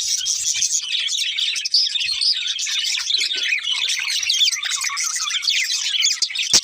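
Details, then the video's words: Several budgies chirping together in a dense, unbroken chatter of high twittering notes and quick warbled phrases, with scattered clicks and one sharp tap near the end. "Cute Budgies Chirping Sounds"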